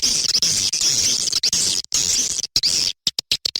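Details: Tombak Raja swiftlet lure sound for attracting swiftlets: continuous high, buzzy twitter with a faint low rumble beneath, then separate sharp clicks near the end.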